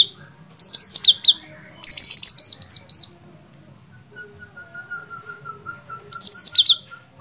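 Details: Sooty-headed bulbul giving loud groups of crisp, high whistled notes, three to five per group, separated by a thin, steady lower whistle and short pauses.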